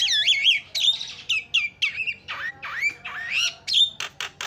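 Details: Lure recording of a Javan myna, played to make other birds call: loud, varied, squawky notes that swoop up and down, with whistled slurs and a few rough clicks at the end.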